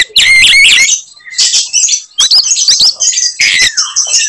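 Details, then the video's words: Oriental magpie-robin in a fighting display, singing phrases intended to anger rivals: harsh high rasps open, then a short gap, followed by sharp whistled sweeps and a descending slur near the end. "kacer gacor tarung bongkar materi tembakan khas bikin kacer lain NGAMUK dan EMOSI"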